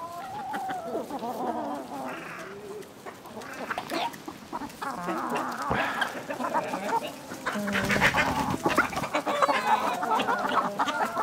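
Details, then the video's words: Chickens in a village setting, a flock clucking and calling at once; overlapping harmonic clucks and drawn-out squawks rise and fall throughout, with busy scratching and rustling noise beneath. "Dinlendirici Tavuk Sesleri Doğal"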